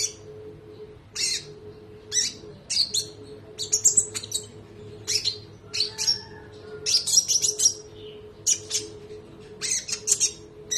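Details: Spotted konin songbird in a training recording. It delivers a long roll of shrill, high chips and quick twittering bursts, with brief gaps between phrases. A constant low hum runs underneath.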